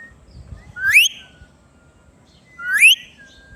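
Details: Talking pet ringneck parrot, green, gives two loud upswept whistles about two seconds apart, each trailing into a faint level tone, over quiet low background rumble.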